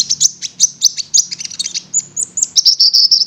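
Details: Prinia (konin) delivering a fast, continuous string of high buzzy chirps and whistled slurs with barely any pause.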